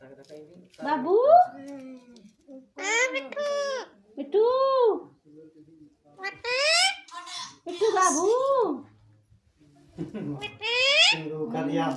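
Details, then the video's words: Pet parrot talking in short, separated speech-like bursts, some with steep rising whistled sweeps climbing high, others arched and lower, spaced by quiet gaps. "बोलने वाला तोता"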